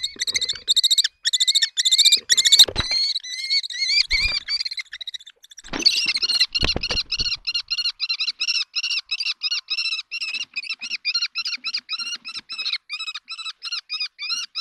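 Common kestrels give rapid, shrill, harsh kee-kee-kee calls in a fight over a nest site.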